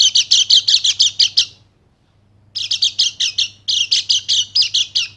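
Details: White-eye, Bali Dakun type, in a lure recording meant to rouse silent males into full 'nembak' singing: fast bursts of high, sharp chirping notes, about seven a second, broken by a short silent gap before the rattling runs resume.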